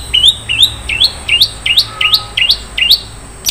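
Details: Long-tailed shrike with isian mewah song: a steady series of about nine rising, upslurred whistled notes, each swooping upward, repeated roughly three times per second.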